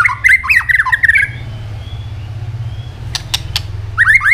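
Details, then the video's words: Fighting song of a white-rumped shama: a rapid run of bouncing, slurred whistles, a quiet gap, three crisp tail-snap clicks, then the whistled phrase starts again, with a low background hum. "chòe lửa chuyền hót đấu nết đập tạch đuôi chắc,kích chòe lửa hót đấu chớm lửa"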